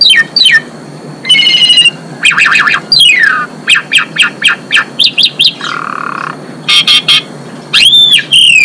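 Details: A female Asian pied starling sings to put males in breeding condition: slurred falling notes, a fast trilled burst, a run of short sharp chips, a low buzzy tone and ringing arched whistles.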